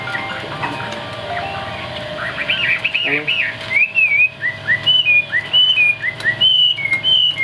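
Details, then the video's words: Chinese hwamei from Vietnamese bird-keeping starts with soft distant notes and a low human sound, then gives evenly spaced pure whistled slurs, some rising and some falling, about once per second. "Bộ khủng hót cực tốt, đuôi lá vả, hót cao cầu | Họat Họa Mi"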